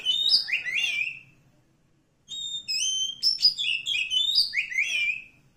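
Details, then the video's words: A wild Oriental magpie-robin in forest sings sweet, high whistled phrases, with down-slurred notes and sustained tones mixed in a lively sequence after a short break. "suara asli kacer hutan"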